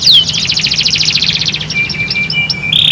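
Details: Canary song meant to prompt other canaries to start singing: a sharp swooping whistle, then a rapid pulsing trill, short sparse chips and a thin high whistle, over a faint low hum.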